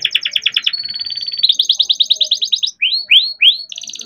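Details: Young captive-bred canary singing continuously in rolling style, used as a lure to get other canaries singing: rapid repeated notes, a long steady whistle, bright fast trills, then three sweeping downslurred notes and another quick trill.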